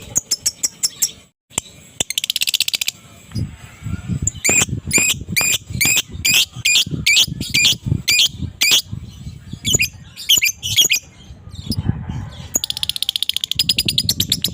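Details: Morning chatter from an adult fighter lovebird meant to provoke quiet birds: shrill squeaky notes, a steady string of harsh chirps about twice a second, and a buzzing rapid trill near the end over low rumbling noise.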